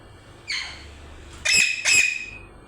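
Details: A softer, drawn-out rasping note from a parrot, then two loud harsh squawks in quick succession.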